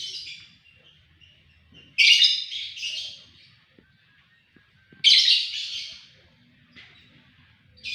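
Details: White-rumped shama singing persistently with a sharp voice: loud harsh bursts of song roughly every three seconds, with softer notes between.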